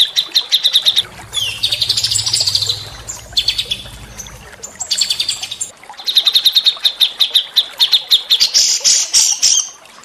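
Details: Bursts of bright, rapid chirping and trilling from small songbirds on a white-rumped shama training recording, with a buzzy warbled phrase early on and a low hum in the first half.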